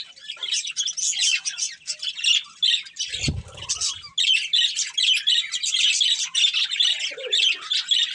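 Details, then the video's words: Budgerigar breeding pair giving steady busy chirps and chattering warble, bright and scratchy, with a soft low knock around the third second. "Cute Budgies Chirping Sounds | Beautiful Budgies Breeding Pair"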